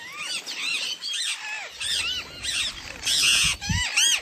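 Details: Parrot making its natural chirping sound, not mimicry; repeated arched, sliding chirps rising and falling in pitch, about one and a half per second, with occasional harsher noisy bursts.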